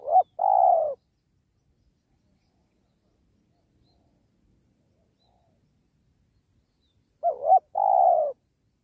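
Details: Spotted dove cooing while luring wild doves for trapping beside a sacred tree; one phrase of a short wobbling note and long soft coo, a long silent gap, then a second identical phrase.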